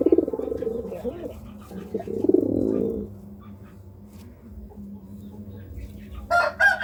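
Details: Courting pigeon gives deep, soft coos over the first three seconds, then a quieter stretch before a short, sharp higher sound near the end.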